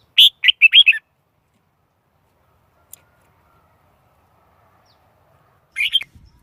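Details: Decoy Red-whiskered bulbul song meant to draw in wild birds: a quick run of four or five jaunty whistled notes, then a long silence before a brief closing phrase.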